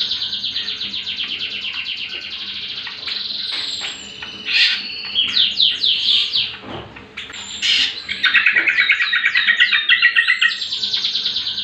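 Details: Greater Green Leafbird song for provoking and training caged birds: rapid repeated chattering notes open, then varied slurred whistles and a fast rolling trilled run toward the end, with a faint low hum beneath.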